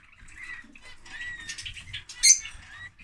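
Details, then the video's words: Lovebirds chattering: a tangle of thin whistled and squeaky notes in a continuous run, ending in a louder shrill burst, with faint low rumbling underneath. "Love Bird singing (Lovebird)"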